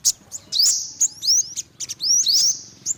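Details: Olive-backed sunbird, yellow-bellied, giving brief piercing tweets and short rising slurs in quick succession.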